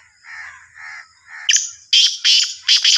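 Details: Three crow-like caws lead into the black francolin's call from Sahiwal, Sindhi type: a loud, harsh series of four rasping notes packed into about a second and a half.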